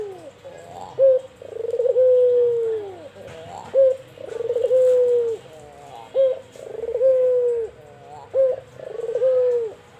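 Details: White albino collared dove calling repeatedly, each phrase a short clipped note, then a longer smooth coo falling in pitch, four phrases in steady rhythm with little other sound.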